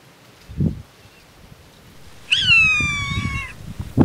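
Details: Galapagos hawk (Buteo galapagoensis), endemic to the Galapagos Islands, raising chicks: a single drawn-out, mewing scream falling slightly in pitch over about a second, with low thumps and rustling around it.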